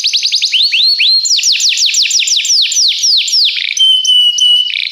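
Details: Belgian canary performing training song: quick rising trill notes, then a slower series of looping, descending whistled slurs, ending on a held steady whistle.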